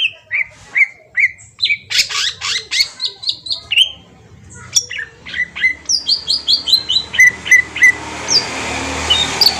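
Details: Green leafbird from Kalimantan, song played as a lure to trigger a response: long, fast run of loud descending whistles and chips, nearly continuous, with a soft hiss rising near the end.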